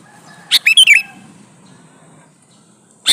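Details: Male sooty-headed bulbul calling to a female: a quick, loud phrase of bright, bubbly warbled notes over half a second, then a single sharp note about two seconds later, with a low hum behind.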